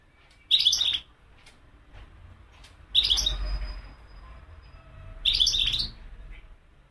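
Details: Three short, bright twittering bursts from a wild European goldfinch, roughly every two to three seconds, with quiet gaps of soft low rumble between them.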